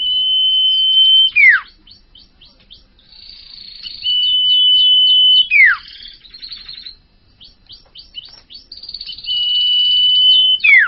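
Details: A young wild-caught common iora (bakalan) sings long, steady, high whistles, each held over a second before plunging steeply downward. Rapid ticking trills follow, and the pattern repeats three times in a quiet setting.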